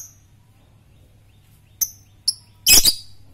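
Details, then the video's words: Lovebird of the fighter type, kept as a master bird for training others to sing, giving two short high chirps then a loud harsh burst of chattering chirps. "lovebird fighter ngetik merangsang ngekekk"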